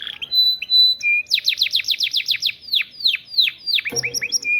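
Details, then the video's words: Canary song learned from lovebird song: a steady whistled note, then a rapid series of about a dozen sharp downward-sweeping notes slowing toward the end, followed by brief high chips. "Kenari isian love bird durasi panjang"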